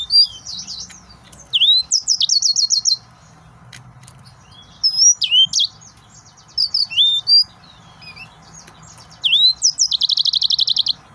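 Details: Excited male yellow-fronted canary, the Mozambique jasmine canary, pours out high whistles, swooping slurs and long fast buzzy trills in several bursts, ending with a sustained rapid rattle, faint hum behind.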